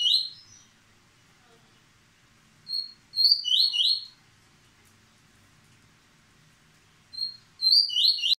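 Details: A male Yellow-bellied Seedeater (Sporophila nigricollis), still moulting, sings quick, high, sweet twittering phrases of rapid slurred notes, three bursts with pauses between, in a quiet room.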